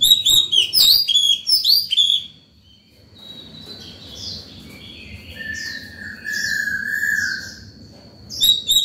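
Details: Morning song from a white-rumped shama in peak condition, aimed at calling birds and training youngsters: quick loud whistled slurs, a pause, then softer drawn-out lower notes before bright whistles return, low background hum.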